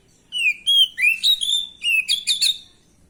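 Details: Oriental magpie-robin, an untrained, stressed bird, singing a lure song meant to provoke a rival's reply: about seven clear, slurred whistled notes in quick succession, some rising, ending in sharper, brighter chirps, with no other sounds.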